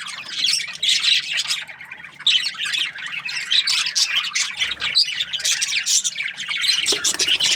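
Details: Several budgerigars kept as breeding pairs in an aviary chatter together: busy, scratchy high-pitched chirping and squawks in continuous bursts, rising and falling in loudness, with short softer gaps around two and five seconds.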